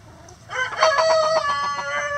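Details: Rooster crowing in a chicken coop, from a recording of chickens clucking and scratching; a loud, harmonic, drawn-out crow rising after half a second and holding with stacked bands for about a second and a half.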